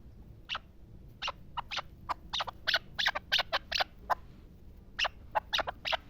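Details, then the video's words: Pamir chukar partridge uttering irregular, somewhat thin clucking notes in loose clusters, fairly quiet against a faint low hum. "Кабки Помир"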